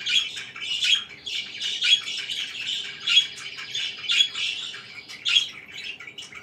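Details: Pet budgies chirping in the morning, a soft continuous warble broken by brighter chirps about once a second and occasional squawky notes, with no competing sounds.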